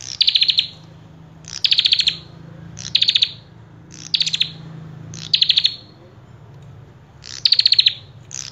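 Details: Common tailorbird in full, persistent song, delivering six short, sharp bursts of fast metallic chips. The bursts come at uneven gaps over a low background hum.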